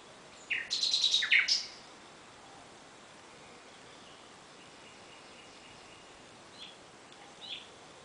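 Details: Nightingale at night giving a short burst of sliding notes and a rapid, harsh rattle lasting about a second, followed by long quiet with only faint, distant notes.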